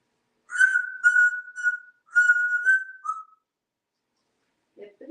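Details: Pet talking parrot, hatched June 1997, living indoors in Texas and wearing a collar, in a talkative mood: a series of clear whistled notes steady near one pitch, short bursts then a longer held tone that drops at the end, quiet room.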